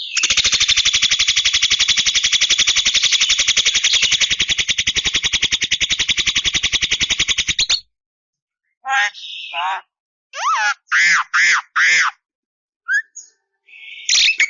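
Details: Javan myna singing at length with few pauses: a long harsh buzzy rattle of rapid pulses for about eight seconds, then short bursts of whistled, swooping and warbled notes separated by brief silences.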